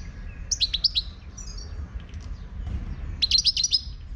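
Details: Moroccan wild goldfinch, song: two bright bursts of rapid twittering and chirped notes, quick downslurred tinkling phrases at about half a second and again after three seconds, with softer faint notes between over low background rumble.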